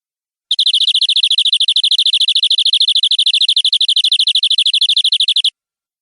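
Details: Canary in full 'nembak' song, the vigorous 'gacor' delivery used as tutor material: a dense, very rapid trill of about ten sharp notes per second, high and metallic, held without a break for five seconds.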